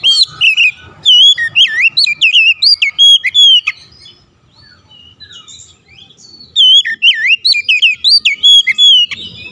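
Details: Oriental magpie-robin (kacer) singing as a provoking rival: rapid, loud whistled phrases with swooping notes and high chips, repeated in two long bursts broken by a quieter spell of faint twitters.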